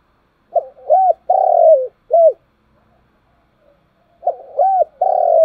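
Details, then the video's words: Spotted dove calling in the morning: two phrases of low hooting coos, each a short rising-falling note, a longer sustained coo and a final arched note, separated by a second of silence. "tiếng cu gáy, gáy gọi buổi sáng"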